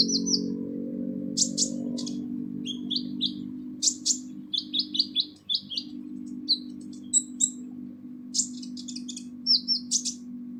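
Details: Kolibri ninja, the purple-throated sunbird, in harsh full song meant for training songbirds: scattered sharp ticks and buzzy high chirps in short clusters over a loud, steady low droning hum.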